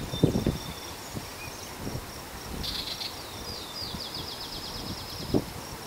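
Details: Yellow-breasted chat delivering a brief harsh burst and then a rapid run of short descending notes lasting over a second, while a constant high-pitched insect hum and scattered low knocks continue behind.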